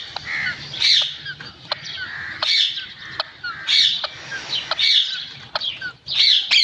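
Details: Green parrot: a series of harsh, hoarse squawking notes repeated roughly every second, with a few sharp clicks between them.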